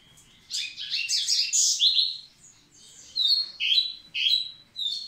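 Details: A singing Double-collared seedeater readying the females: a dense, buzzy, jumbled warble, then a brief lull, then three or four crisp whistled notes in quick succession.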